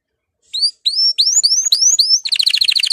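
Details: Excited male canary, readied for mating, begins with a few clear upslurred whistles that come faster and closer together, then switches into a quick, high, rattling trill.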